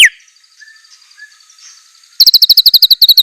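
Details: White-rumped shama, or murai batu, with a fierce-sounding 'isian' song: near quiet with faint soft notes for two seconds, then a sudden rapid series of piercing high chips.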